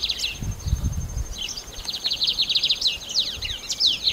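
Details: Lined seedeater song: after a few low thumps, a long run of fast, high, buzzy trilled notes and sharp chirps, delivered in quick succession with brief breaks, over a faint constant high whine.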